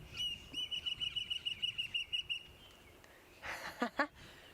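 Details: At a sunrise safari on 9 November 2016, a Fork-tailed Drongo mimics nearby eagles with a rapid run of thin, very high piping notes, about seven a second, then a few harsh rasping notes.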